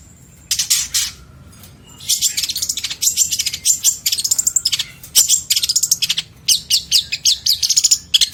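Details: Long-tailed shrike song used as master material for training other songbirds: dense bursts of harsh, scratchy high notes and rapid chattering trills, delivered in runs of quick repeated pulses with short pauses, over a faint low hum.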